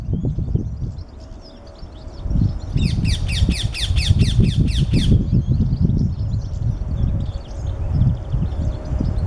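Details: Parakeets in Margravine Cemetery on 18 December 2015, heard at a feeder: a fast run of about ten harsh, screechy notes in two seconds, over steady low wind rumble and faint chirps from other birds.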